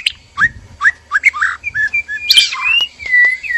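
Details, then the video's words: Male and female white-rumped shama kept in a breeding cage, mating arousal calls: spaced short rising whistles about three per second, a harsh burst, then drawn-out clear whistles, with faint low background rumble. "PANCINGAN BIRAHI KAWIN MURAI BATU JANTAN DAN MURAI BATU BETINA DIKANDANG PENANGKARAN"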